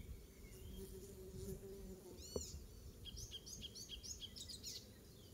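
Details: Icterine warbler singing in a garden at Pieterburen on 17 May 2022, a great imitator including oystercatcher; a sweeping arched note, then a rapid run of varied high, chirping, buzzy phrases over steady low background hum.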